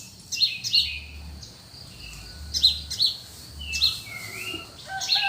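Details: Birds singing in cool countryside early morning: bright high chirps in pairs and clusters, with a lower whistled swoop and a few mid notes, over soft background rumble.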